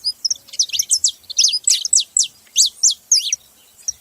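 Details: Saffron finches making noise: a run of loud, high chirps, many sliding downward, spaced roughly every quarter second, with brief soft knocks underneath.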